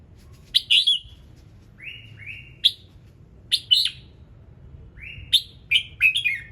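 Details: Red-whiskered bulbul singing in the morning with many varied notes: short bright chirpy phrases, some with rising slurred notes, given in loose bursts about every second over a quiet low hum.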